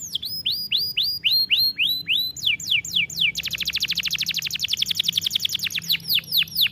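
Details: Canary song offered for training canaries: loud bright phrases of repeated downward-sweeping whistled notes, shifting into a fast rolling trill of rapid rising notes near the end.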